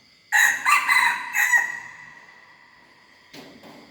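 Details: Learning crow of a young red junglefowl hybrid, loud, raspy and choppy, fading after about a second, followed by a brief noise burst, with a steady high drone throughout.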